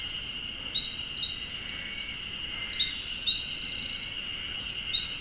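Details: Wild Eurasian wren in Oku-Chichibu, Japan, singing from a dead treetop, captured on a Nikon Z50II: a long, unbroken torrent of shrill notes, quick trills and sweeping slurs, with a constant high-pitched hum beneath.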